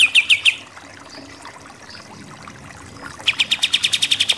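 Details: Pied triller in full "shooting" song, a training recording for contest birds: a short burst of four bright chattering notes, a pause, then a fast run of a dozen ringing notes, with a faint trickle of water behind.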